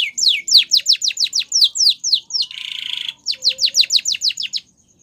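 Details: Canary singing for training: a quick series of sharp descending whistled notes, a brief harsh buzzy burst, then more falling notes before the song stops abruptly.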